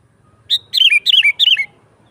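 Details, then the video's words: A sooty-headed bulbul in energetic 'gacor' song, used as a lure for wild bulbuls and a tutor for kept birds: a clear opening note, then three tumbling phrases of liquid notes, each sliding downward. "Suara Burung KUTILANG GACOR Nggaruda"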